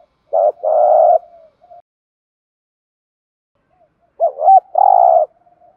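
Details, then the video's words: Spotted dove gives two cooing phrases, each a wavering quick note and a long steady coo, three seconds apart with silence between; the call is meant to excite other doves into calling. "tiếng chim chim cu gáy kích bổi nhanh gáy"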